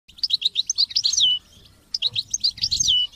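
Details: European goldfinch song used to train goldfinches to sing: bright, tinkling twitters in two bursts, each ending in a buzzy descending note, with a short pause between them.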